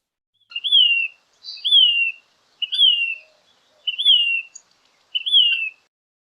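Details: Male flycatcher's gentle call at Metcalf Creek, Big Bear Lake, San Bernardino National Forest, California, on 9 September 2020: five clear, high whistled notes, each slurring downward, about once a second, in a quiet setting.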